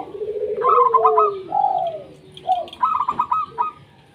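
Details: Local zebra dove (perkutut lokal) singing to lure lazy doves into song: a low trilled coo sliding down, then a bright staccato ticking phrase and rolling coos, phrases separated by short pauses.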